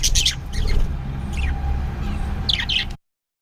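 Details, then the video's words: Budgies kept as pets give quick, raspy chirps and warbled twitters in short bursts at the start and near the end, with a constant low background hum and a faint steady tone between. "Beautiful Budgies parrot chirping sound"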